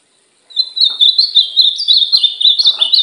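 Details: Caged ultramarine grosbeak in training, singing a sweet warbled phrase of rising and falling whistled notes around a steady high pitch, continuous for about two and a half seconds after a brief silence, with faint clicks underneath.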